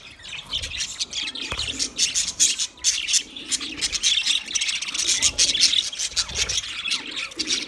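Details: Several budgies twitter and warble continuously, with high raspy chirps pulsing in quick uneven bursts and faint low murmurs beneath the chatter.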